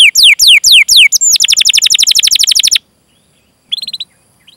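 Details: Lively canary 'cuit cuit' song with rolling trills, used to coax young, untrained or silent canaries into singing. Five clear down-slurred whistled notes lead into a fast, even trill, a silence, then a brief soft twittering burst.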